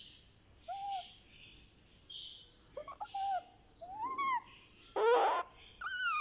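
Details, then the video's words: Baby Indian ringneck parakeet, one month old, during a head massage: short whistled rising and falling notes, then a loud harsh squawk and a descending whistle near the end. "Rex the Ringneck baby gets a Head Massage | Candy makes sweet sounds"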